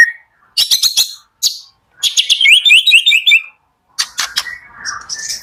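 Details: Morning white-rumped shama song aimed at rousing shamas that are slow to sing: sharp high chips in short bursts, then a rapid series of rising whistled notes and softer closing phrases.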